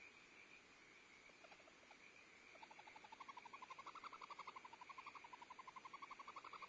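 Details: At a Starr Ranch barn owl nest on 2011-02-14, while the female feeds owlets and the male brings prey, a barn owl gives a rapid chittering series, about four notes a second, rising slightly in pitch and growing louder, over a steady hiss.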